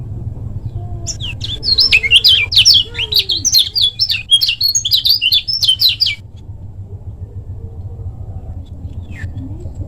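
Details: Lemon-bellied white-eye from Lombok, kept as a songbird, in a fast, short-phrase master song used to train other birds: a rapid run of very high, thin twittering notes for about five seconds, then quiet with a low steady hum.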